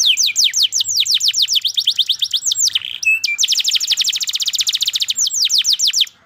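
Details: Canary in vigorous song: a long run of rapidly repeated sweeping notes, a brief harsh chirp, then an even faster, evenly spaced trill.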